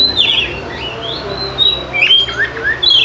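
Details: Oriental magpie-robin song meant to coax lazy birds into singing: long sweeping whistles sliding up and down, then bright slurred notes and a sharp rising whistle at the end.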